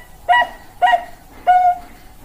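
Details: Bangkok-type zebra dove giving three clear cooing notes: two short, clipped ones, then a longer held note that fades slowly.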